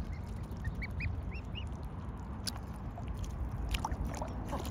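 Mute swan cygnets give a quick series of thin, high, slightly arched peeps over a heavy low rumble of wind or water, then a few fainter peeps near the end.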